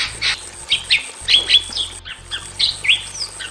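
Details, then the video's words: Loud song from caged Bali mynas, male and female in a simple aviary: short bright whistles and sharp squeaky notes in quick succession, several sliding upward, with a faint steady high hiss behind. "SUARA BURUNG JALAK BALI JANTAN DAN BETINA GACOR"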